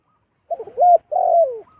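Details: Wild zebra dove flying down to a decoy, calling once: a brief stutter, a clear level whistled note, then a long purring trill that drops in pitch at the end.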